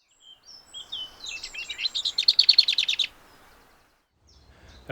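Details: Lesser Whitethroat song, a bird of mature woodland, scrub and big hedgerows: a brief scratchy warble like a whitethroat's, then a dry, fast rattle of about a dozen identical high notes. A faint voice follows.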